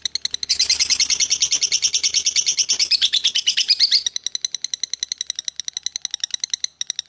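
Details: Long continuous ngekek of a lovebird: a dense, loud, buzzy, rattling chatter for several seconds, then easing into a steady series of evenly spaced high chips that slow slightly toward the end.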